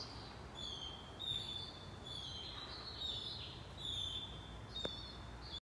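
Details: Say's phoebe nestlings, nearly ready to leave the nest, beg with thin, high, squeaky notes repeated in an irregular stream as their mother feeds them, over a low background rumble.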